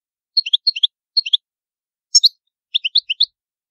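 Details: Goldfinch, Palermo Sicilian old style: small clusters of quick bright tinkling notes, a sharp doubled high note, then another run of five rapid chirps. The background is silent.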